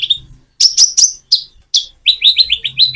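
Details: Common iora song with natural pauses, used to prompt reluctant birds to answer: a high whistled note, then bright chirps with short gaps, ending in a fast string of repeated downslurred whistles.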